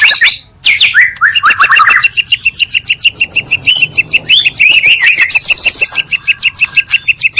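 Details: Provoking lure from two magpie-robins: a few loud whistled slurs give way to a long, steadily repeated chattering trill with high overtones.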